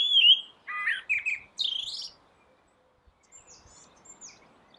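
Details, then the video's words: Rooftop blackbird song: a clear whistled note, then two or three lower fluty phrases leading into a high scratchy twitter, followed by near silence with faint distant high chirps. "Blackbird singing"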